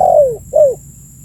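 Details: Two soft, mellow coos from a spotted dove, each sliding downward in pitch, the first longer than the second. A recording meant to lure birds in, over a quiet low background hum.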